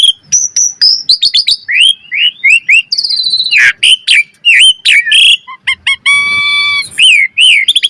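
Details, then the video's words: Asian pied starling song used to train birds toward vigorous singing full of variations: quick whistled upslurs and chips, harsh grating bursts, a sustained nasal tone, then renewed slurred whistles. "Pancingan Burung Jalak Suren Gacor Mompa Variasi - Suara Masteran Jalak Agar Gacor Full Isian Mewah"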